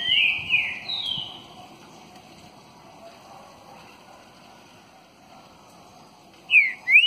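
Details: A green-winged saltator (Saltator similis) gives rich, loud whistled phrases with sliding, slurred notes; one burst opens the recording and another follows after about five seconds, over a faint background hum.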